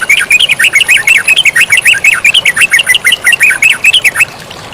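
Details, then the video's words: Yellow-vented bulbul singing energetically, a tutor recording with flowing water: a fast run of about twenty-five bright, bubbly chirped notes that rise and fall, packed tightly together. The notes stop just before the end, leaving a soft steady hiss. "MASTERAN TERUCUKAN GACOR DAN SUARA AIR MENGALIR"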